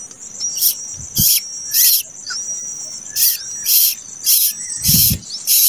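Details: Late-hatched common koel chick begging: harsh, hissing, broadband screeches in short bursts about every half second to second, thin high whistled tones running underneath, with a few low thumps.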